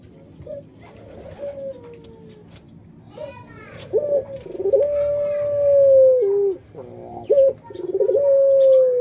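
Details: Indoor puter dove kept as a pet, cooing pelung style: soft early coos, then a yelp and rolling run into a long steady note with a falling end, another yelp and a rising roll. Faint voices underneath.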